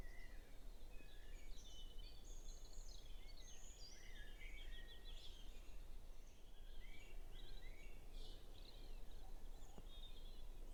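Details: Dawn chorus in a back garden in north-east Norfolk on May Day before sunrise, around 4.30–5.20am, phone-recorded: many songbirds, led by blackbird, sing overlapping whistled and warbled phrases over a steady low rumble.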